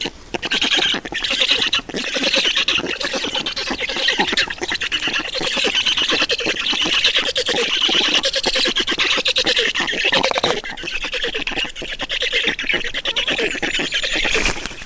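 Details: Black storks at a nest in Estonia during feeding, dated 31.06.2019 at 11:11; a dense, harsh, squawking chatter runs without pause through the whole recording, with rapid rasping pulses and no clear breaks.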